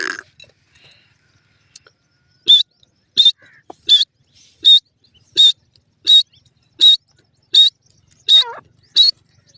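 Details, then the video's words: Francolin calling: a steady series of short, harsh, high notes, about ten in total, repeated roughly every two-thirds of a second after a quiet start. "teetar ki awaz"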